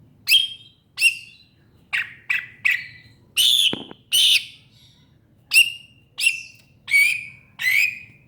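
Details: Greater green leafbird giving a series of short, loud, sharp notes with harsh overtones, spaced irregularly about once or twice a second, some slurring downward, over a faint low hum.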